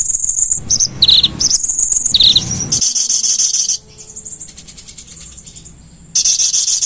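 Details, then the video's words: Konin song from a master recording for training caged birds: rapid high chirps and buzzy notes, then long sustained high trills that drop briefly to quieter ticking before resuming. "burung konin gacor"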